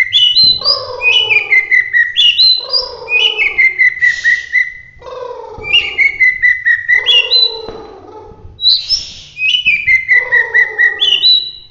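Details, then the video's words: Bahorok white-rumped shama from Medan in full roll tembak singing: loud, rapidly repeated whistled phrases, each dropping from high sharp notes into a sustained lower whistle, with buzzy descending undertones and brief rasping bursts between phrases. "suwara murai batu Bahorok gacor roll tembak"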